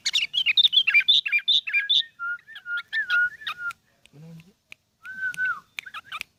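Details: Ten-year-old pet sooty-headed bulbul producing a busy run of high chirps and twitters, then lower steady whistled notes. A brief low voice intrudes near the middle, followed by another drawn-out whistle.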